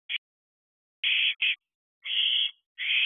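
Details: Barn owl owlets, fledged and in their thirteenth week, at a nest box at 4:13 am on 7 July 2023 during fireworks season; a brief rasp followed by four harsh, hissing screeches, each about a third of a second, over a quiet background.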